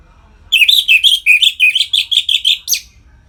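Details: Captive-bird stimulation song of an orange-headed thrush (anis merah) in ngeplong style: a brisk series of about eleven clear, rippling chirps, wavering in pitch, ending with one harsher note.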